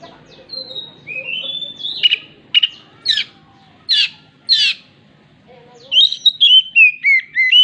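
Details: Oriental magpie-robin mimicking a hen clucking after laying: rising whistles, then three loud harsh clucking notes each about 0.7 seconds apart, ending in a quick run of sliding whistled notes.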